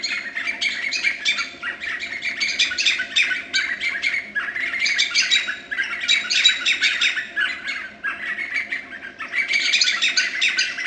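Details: White-fronted Nunbird at Boca Tapada de Arenal, Alajuela, Costa Rica, 2013, giving harsh, chattering, yelping calls in rollicking bouts of about three seconds with brief pauses, over a steady low hum.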